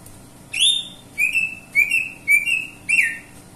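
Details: Cucak ijo, the greater green leafbird, sings a bright phrase: a long high whistle followed by four repeated slurred whistled notes, evenly spaced about half a second apart.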